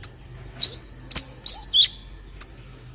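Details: Olive-backed sunbird song for tutoring other birds: a few separate high whistled notes and short downward slurs, spaced by pauses, ending with a single sharp chip.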